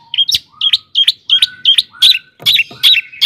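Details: Long-tailed shrike song for provoking shrikes: quick repeated chirps paired with thin whistled notes, about three per second, sharp and clipped.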